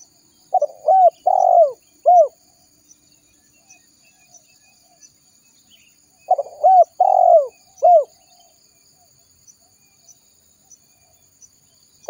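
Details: Lure recording of a spotted dove calling to attract wild birds. Two soft cooing phrases about six seconds apart, each of several notes ending in a long, downward-sliding coo, with quiet between them.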